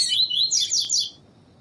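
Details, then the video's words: Double-collared seedeater of the tui-tui song style, in a breeders' training recording that pairs song with female calls to stimulate males; a quick burst of about five high, sharp chirped notes within a second, then quiet. "CANTO DO COLEIRO TUI TUI TREINAMENTO COM PIADO DE FÊMEA DE COLEIRO PARA ESQUENTAR COLEIRO TUI TUI"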